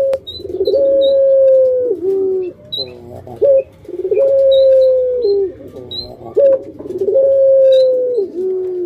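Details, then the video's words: Pelung puter, a pet Barbary dove: bursts of rough coos each followed by a long clear held note that falls away, repeated three times, about every three seconds. "Puter Pelung"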